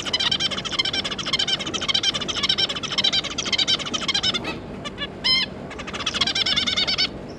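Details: From a zebra finch family of two adults and three juveniles, June 2022: almost unbroken rapid nasal chatter of wavy harmonic notes, a brief pause with a few clear beeps and one loud call, then the chatter resumes.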